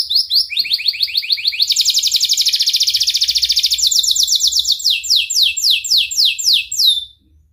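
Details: Canary singing at length, meant to get young or silent canaries singing: quick chirps build into a dense, rapid rattling trill, then slower descending notes carry on until the song stops.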